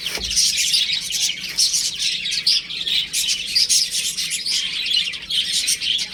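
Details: Chicks playing at home, chirping constantly in high, sharp peeps from several birds together, pulsing slightly in loudness, with a short low knock at the start.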